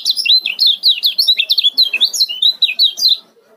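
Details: Continuous, close burst of speedy ciak chirps from a male Lombok kecial kuning, each note a loud, high whistle bending up or down, packed several per second for over three seconds.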